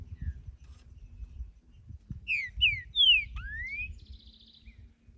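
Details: Wild creamy-bellied thrush song in nature: after a quiet start, a phrase of short slurred whistles falling in pitch, followed by a long upward-sweeping whistle and a soft buzzy trill, over low background rumble.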